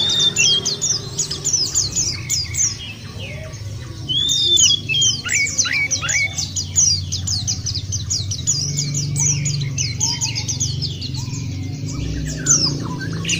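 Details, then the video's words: White-eye song as a lure to make birds sing: long stretch of quick high chirps and twitters from several birds, occasional lower slurred whistles, and steady low background rumble. "puter ini jangankan pleci burung lain aja pada gacor"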